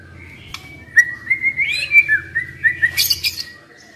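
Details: Young wild white-rumped shama delivering a sweet slurred whistled phrase of quick rising and falling notes, ending in a burst of high chips, over a faint low hum.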